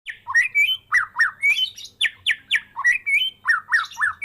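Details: Caged Medan white-rumped shama, hand-raised from a fledgling, singing gacor full isian after its first moult: loud, rapid run of downslurred whistles and sharp chips, about four notes a second, varied pitch, in a quiet room.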